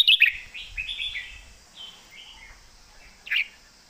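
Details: Red-whiskered bulbul kept as a competition bird, singing a full, thick-voiced song in the 'master song' style: quick bright whistled and warbled phrases for about a second and a half, softer scattered notes, then a sharp loud burst near the end.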